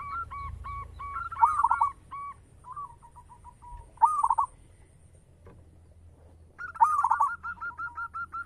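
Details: Local zebra dove singing steadily with a big, rich voice: soft mid-pitched coos repeated in a series, broken by three louder rolling, trilled phrases, with a faint high hiss above.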